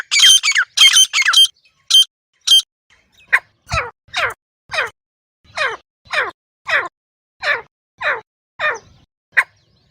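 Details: Wild grey francolin (desi teetar) recorded in natural surroundings, a call used for hunting: a brief burst of harsh, buzzy notes, then a steady run of falling, sweeping notes about every half second.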